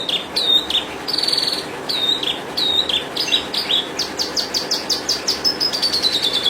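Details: Horsfield's bush lark singing a varied, fast song of high thin whistles, short sliding notes and buzzy trilled bursts, followed by a run of rapidly repeated sharp chirps and a final descending whistle.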